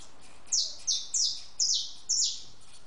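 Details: House sparrow at a backyard feeder and water dish, calling with five loud, clipped chirps that slide downward, each roughly half a second after the last.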